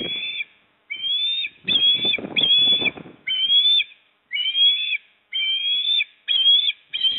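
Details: Osprey pair at a nest in Port Lincoln, South Australia, on 28 September 2024, as the male brings a fish to the female: high, whistled, slightly rising piping calls roughly once a second, some with a double-toned edge, with rustling and knocking at the nest.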